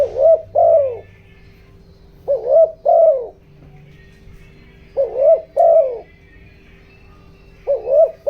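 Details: Spotted dove used as a decoy, cooing in the 'giọng đồng' style to draw wild doves. Four deep two-part phrases: a short wavering note and then a longer sliding coo, spaced by pauses of one to two seconds, with a steady background hum.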